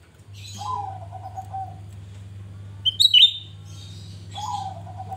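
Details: Lively grey-bellied bulbul song used as a lure for other birds: a low whistled phrase that drops gently, then a burst of sharp high chirps, and the low whistle starting again, with a constant background hum.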